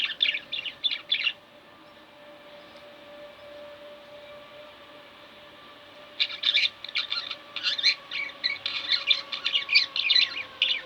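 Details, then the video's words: A pair of household budgerigars chatter in quick, scratchy high chirps, a short burst, then a pause with a faint steady hum, then a longer lively run of warbling notes. "Budgie Birds Extravaganza-Relax With My Budgies"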